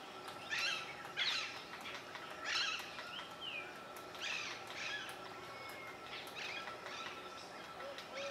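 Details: Brown-fronted woodpecker in Indroda park gives harsh, chattering bursts every second or so, with other birds' thin whistles and a steady high hum behind.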